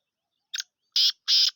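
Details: Black francolin, known locally as Sindhi teetar, uttering part of its harsh call: a short doubled click-like note followed by two long, rasping, grating notes in quick succession against silence.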